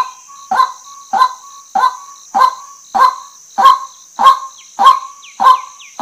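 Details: Female white-breasted waterhen calling in a steady series of about ten rough, nasal croaks. Short downslurred whistles from another bird appear near the end, and a constant high hiss persists.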